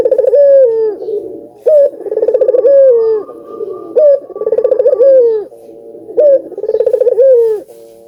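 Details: Cooing of an albino ringneck dove, meant to get other doves calling: repeated phrases of a short rising note, a fast rolling pulsed section and a falling drawn-out coo, roughly every two seconds.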